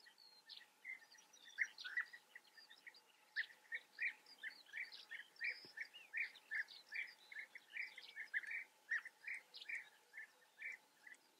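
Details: European bee-eaters in the Eifel, Germany: an almost continuous stream of short rolling calls, about two to three a second, several birds overlapping, with higher chirps mixed in and a low steady hum.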